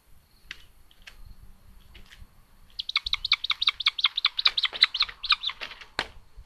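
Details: Common buzzard nestlings on a solar-powered live nest camera at Tiszalök, Hungary, on May 29, 2022, as a little sister attacks her brother. After a few scattered single notes, sharp high chirps pour out in a rapid run, nearly three per second.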